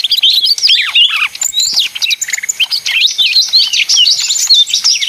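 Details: Leafbird of the small 'ijo mini' type singing busily: descending slurred whistles at first, then fast chattering chirps and bright, rising whistled notes.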